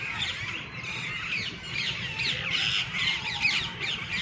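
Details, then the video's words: Green, red-beaked parrots gathered at a treetop in the evening, a flock chattering in harsh, rapid squawks and chirps that overlap continuously, over faint low background noise. "Sweet chirping sound of Parrots"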